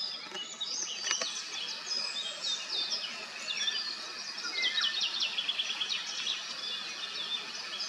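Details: Common starlings bathing at Kápolnai kobolya, Madocsa, Hungary, recorded with a Nikon P1000 camera: dense, continuous high chatter of whistles, clicks and rattling notes from several birds, with some downslurred whistles, over steady background noise.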